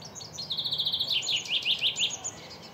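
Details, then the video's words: Male chaffinch song: a fast run of repeated high, even notes, then a drop into a string of louder, descending chirping phrases, all high-pitched over a faint low background hum. "chaffinch sound"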